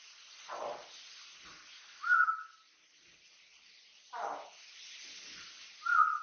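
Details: Household Amazon parrot, a three-year-old male, alternating a low gruff mutter with a clean high whistle, the pair repeated twice in about four seconds.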